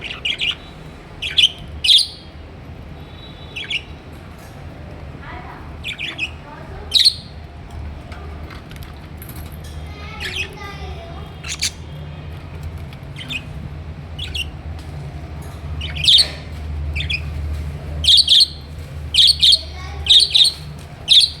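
Budgerigar giving short, sharp chirps and squawks in irregular bursts over a soft background hum.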